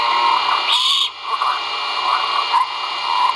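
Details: At a great horned owl nest watched by a live camera at Skidaway Audubon on 1.04.2022, the chicks call during a feeding: a single short, noisy, grating screech near the start, then continuous hum and faint scuffling.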